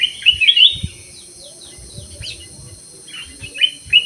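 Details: Caged black-crested bulbul in an aviary singing a loud, bubbling whistled phrase at the start, then sparse chirps and short whistles toward the end, with a steady high hiss.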